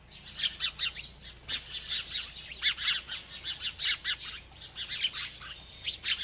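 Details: A bird chirping as it eats: crisp, high, downslurred notes repeated rapidly in a lively, rhythmic chatter throughout.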